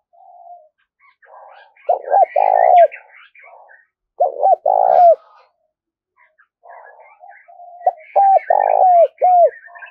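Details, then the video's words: Spotted dove repeating its cooing phrase three times, used to make wild doves sing and to train decoys: hooked coos around a long purring coo. Soft chirping and other faint cooing fill the background. "tiếng cu gáy kích bổi nhanh nổi xiêng gáy và tập mồi rất hiệu quả"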